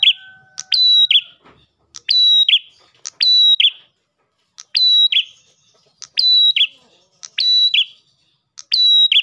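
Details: Ash tailorbird singing a lure song meant to draw in other tailorbirds: about seven phrases in irregular bursts, each a sharp tick, then a steady high whistle, then a lower buzzy downslurred note. The background is quiet.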